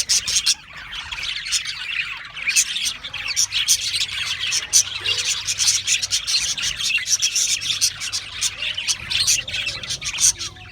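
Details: Australian parrots chirping together: dense, continuous high twittering and squeaky chatter from many overlapping birds, with sharp clicks and short notes throughout and no pauses.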